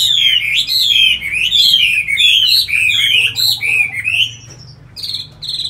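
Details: Caged tamed Chinese hwamei gives a rapid sequence of loud, looping whistled phrases, each sliding up then down, followed by softer short notes and a final couple of clear whistles.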